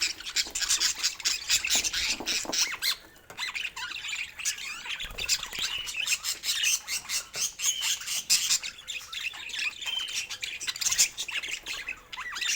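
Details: Budgerigar produces long, busy chatter of rapid, scratchy warbles and clicking notes with frequent squawks and chirps, dipping briefly near the middle before resuming at full pace.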